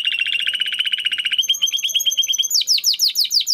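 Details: Timbrado canary training song. A fast, evenly pulsed low trill moves into a higher ticking roll. It ends with rapid downward-sweeping notes, several per second.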